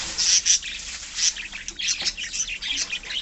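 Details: Budgerigars in a pet colony keep up a continuous high-pitched twitter of short chirps and warbles, several birds overlapping throughout, with a few sharper notes standing out.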